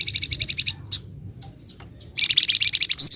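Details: Flamboyan bird (Sunda bush warbler) singing 'nyecret' chatter: a string of fast high repeated notes, a pause with scattered clicks, then another dense rapid high trill ending on higher, thinner notes.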